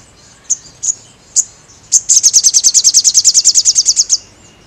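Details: Crested jay singing vigorously for caged-bird training: several isolated high chips spaced out, then a fast, even rattle of around twenty sharp, high-pitched notes.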